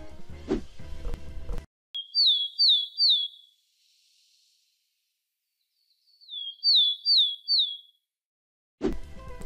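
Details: Willow tit call, presented among Germany's tit species: two bursts of three high, clear whistled notes, each rising then slurring down, with a man's voice speaking before and after.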